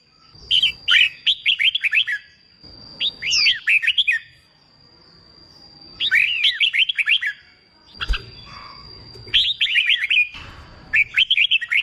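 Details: Contest-training song from a wild-caught red-whiskered bulbul: four loud bursts of fast, chattering whistled notes sweeping up and down, each burst about a second long, with a constant faint high-pitched tone running beneath.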